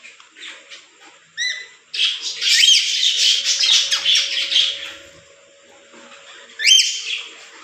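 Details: Pet lorikeet parrot, kept indoors, gives a few short chirps, then a long harsh squawking outburst lasting about three seconds, followed by a sharp squeak; a faint steady hum runs through the room.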